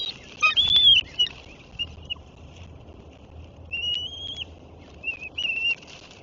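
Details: Eagle calling at its nest on 21 March 2024: thin, high whistled notes, some drawn out and slightly falling, in two scattered bursts over a steady low background hiss.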